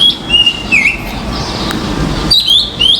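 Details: Common myna on a balcony: two whistled notes dipping downward, a short pause, then a pair of rising slurred whistles, over a soft rushing background.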